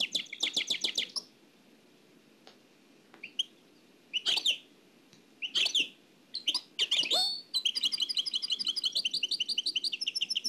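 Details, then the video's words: Oued El Alleug nightingale singing, taken from an old cassette tape: a rapid trill of clicks, short pauses, varied sharp phrases, then a long fast rattling trill repeated many times. "تغريد واد العلايق نقلته عن كاسيت قديم بصحتكم خاوتي معمر روسينيول"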